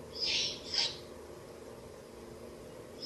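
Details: At a ruin nest site late on 30 April 2024, an owl mother feeds her chicks rabbit and rat; two harsh, airy hisses close together open the recording, then quiet hum until another hiss starts at the end.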